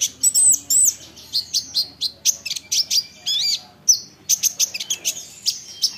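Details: Olive-backed sunbird training song meant to trigger other sunbirds: energetic stream of sharp chips, short buzzy trills and falling whistled slurs, loud and nearly continuous.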